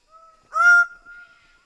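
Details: Greater bird-of-paradise giving a single loud, nasal, harmonic call, preceded and followed by a faint steady whistled tone; clean background.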